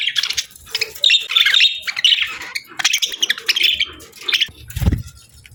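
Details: Budgerigar chatter from pet birds: continuous scratchy squawks and warbling chirps, dense and busy, with a low thump near the end.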